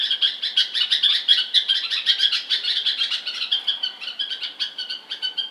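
Bulbul chirping: a steady run of short, bright, slightly buzzy notes, several each second, with overlapping chatter from more than one bird.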